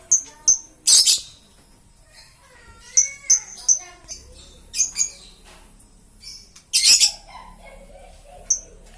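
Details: Green-series lovebird making a string of short, very high, sharp chirps with two loud harsh squawks and some soft warbling twitters between them.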